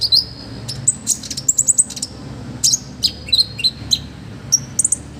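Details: Olive-backed sunbird in full, vigorous song as a training master: rapid high sharp chips and short piercing trills in quick bursts, separated by short gaps, over a low steady hum.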